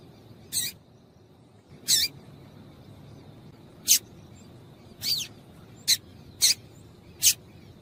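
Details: Female papa-capim (double-collared seedeater) calling to make the male sing: seven short high chips at uneven intervals, some with a quick downward sweep, over low background hiss.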